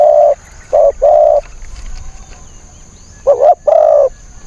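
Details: Decoy spotted dove luring wild doves, cooing in two bursts: a short note then a pair of coos, a pause, then a stuttering double note and a long drawn coo, low and hollow.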